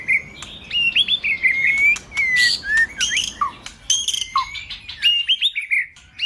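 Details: White-rumped shama song as a lure to excite a male, a continuous warble of sliding whistles, quick rising notes and occasional dropping slurs with light clicks.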